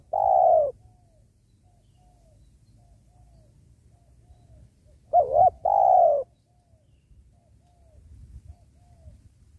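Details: Spotted dove (tekukur) during trapping by a sacred tree. The end of one coo is followed after a long pause by a single complete call, a quick quavering note and then a sustained falling purr, with faint low rumbling between.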